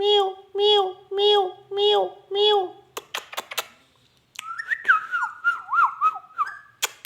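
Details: Talking ringneck parrot indoors gives five rhythmic, nasal meow-like calls in a row, then scattered clicks, a pause, and a long wobbling whistle that swoops up and down repeatedly.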